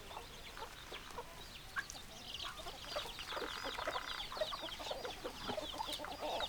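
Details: Chickens in a flock: hens clucking with short repeated high notes and some lower clucks, a busy overlapping chorus with steady background noise.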